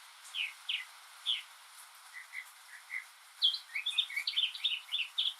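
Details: Northern mockingbird singing alone in the rain, mimicking other birds: a few separate chirps, then a quick cluster of jumbled twittering notes near the end, against a steady wet background hiss.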